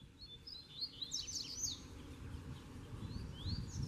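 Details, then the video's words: Two double-collared seedeaters singing some distance apart amid a territory dispute, one near, one caged: a bright jumble of fast slurred notes, then fainter upward-sweeping whistles, over low rumble. "O SOLTO VEIO PRA MOSTRAR QUEM MANDA!!! - Coleiro Professor Aprendizado"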